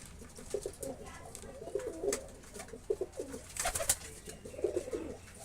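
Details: Pigeons kept for rearing produce bursts of deep, bubbling coos in short repeated phrases, separated by brief pauses, with a loud rustle or flap near the middle and scattered clicks.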